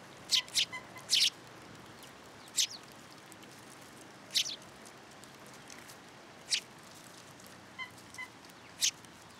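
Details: At a shrine feeding platform in Japan, March 2023 afternoon, sparrows arriving for food utter brief, piercing high chirps in scattered ones and twos, with quieter faint notes between them.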